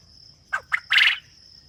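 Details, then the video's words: Farm quail giving a single three-part call. Two brief sharp notes lead into a drawn-out, harsh, buzzy final note. A continuous high whine sits in the background. "فَارمی بٹیر کی خوبصورت آواز | Soothing Voice of Farm Quail"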